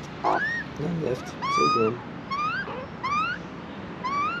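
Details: Juvenile Australian magpie in Australia begging for food but refusing to take it from a hand; a series of five rising, whistled calls with harmonics, spaced under a second apart, over a man's coaxing voice.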